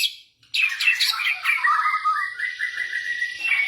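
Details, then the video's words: Blorok white-rumped shama, a cage bird, giving lure song to get reluctant shamas singing: after a short silence, a scratchy high outburst leading into sustained, wavering whistled notes. "OCEHAN MURAI BATU BLOROK )PANCINGAN MURAI BATU MLAS BUNYI"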